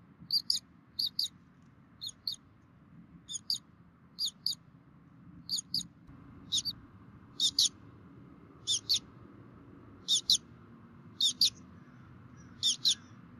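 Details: Wild bald eagle nest in Minnesota, 3 May 2016, late morning, both parents feeding chicks; a steady series of thin, high squeaky double chirps, growing slightly louder and more frequent, with soft background rumble.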